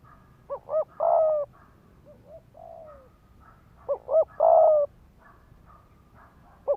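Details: Decoy spotted dove in rapid 'thúc gù' cooing to provoke males: two short notes and a long coo, repeated, with soft faint calls in between.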